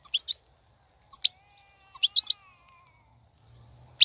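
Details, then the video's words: ['European goldfinch, wild 2019 recording used as motivational song for caged birds: short high twittering phrases of quick liquid notes, separated by silent gaps of about a second, then a final chirp.'] "بتبتة الحسون , (بتبتة برية 2019) , فيديو تحفيزي"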